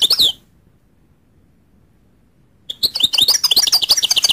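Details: Goldfinch giving a short buzzy twitter, falling silent for over two seconds, then resuming with a rapid stream of high, jingling chirps and slurred whistles.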